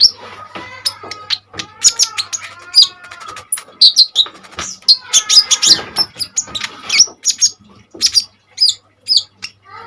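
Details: Common iora in full vigorous song, used as a tutor for other cage birds. A rapid, varied stream of sharp high chips, whistled slurs and brief buzzy bursts, with hardly any pauses.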